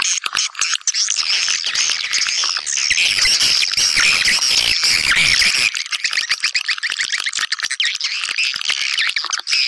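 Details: Swiftlet lure call played to attract swiftlets: a dense, continuous chatter of buzzy, rattling chirps and twitters, overlapping without pause, briefly swelling louder midway.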